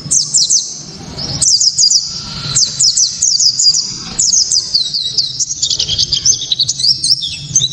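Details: Japanese white-eye singing sharply and loudly to provoke other white-eyes: long runs of rapid, very high chattering twitters with zigzag notes, nearly continuous across the recording with brief breaks.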